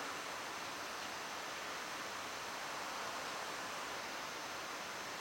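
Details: A continuous even rush of noise, like flowing water or a waterfall, runs unchanged throughout without any animal voices.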